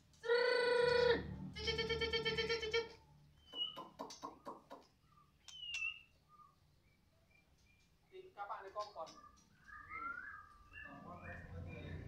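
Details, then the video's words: White-rumped shama of the Medan type, missing one broken claw, singing loudly in full form: two harsh, nasal, buzzy notes of about a second each, then rapid clicks, short high whistles and varied chattering, warbling phrases. "mb medan gacoran volume kencang"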